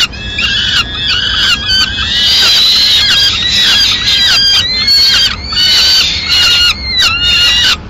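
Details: Female peregrine falcon bringing pigeon remains to the nest in Madrid at mid-morning; loud, grating wails and screams run almost continuously in overlapping bursts, some calls bending downward, with faint low background hum.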